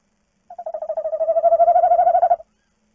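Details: Tawny owl at night, recorded by a nest box webcam while the female leaves the nest and the male guards the eggs; a steady, mid-pitched pulsed trill lasting about two seconds, swelling slightly in loudness before stopping abruptly.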